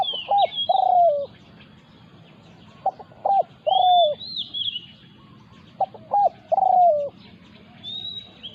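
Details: Spotted dove in a territorial clash as a wild resident bird attacks a decoy. Repeated cooing phrases, each of quick clipped notes ending in a longer falling coo, come roughly every three seconds. High whistled chirps from another bird recur between them.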